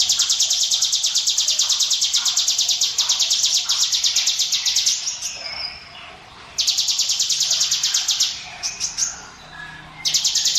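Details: Prinia song used as a lure for other birds: long rapid buzzy high trills of evenly pulsed notes, several seconds each, separated by brief quieter chirps.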